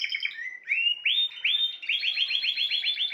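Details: Spanish timbrado canary singing a quick trill that slows into longer upward-sweeping whistles, then speeds into a fast, evenly repeated series of rising notes.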